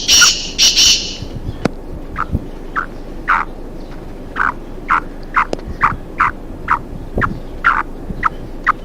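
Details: Black francolin, one of a pair roaming free in forest, giving short, harsh clucking notes about twice a second, uneven in pace, with a brief loud scratchy burst at the start.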